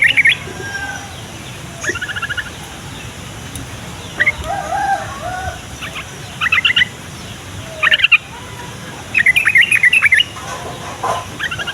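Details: Yellow-vented bulbul song played to prompt young, idle or flock-kept bulbuls to answer and to lure wild ones. Short bursts of rapid, bubbly chattering notes come every second or two over a steady hiss, with fainter calls between them.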